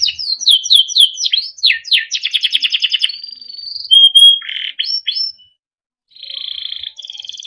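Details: Timbrado canary, small yellow bird, singing melodic song for training: varied repeated whistled syllables, a rapid rattling trill, pure sustained whistles, a short silence, then a soft buzzy roll.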